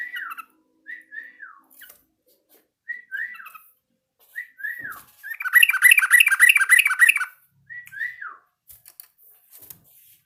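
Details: Yellow-vented bulbul practising song: clear, liquid, downward-slurred whistled phrases repeated about every second, with a loud dense burst of rapid bubbling notes in the middle, in a quiet setting.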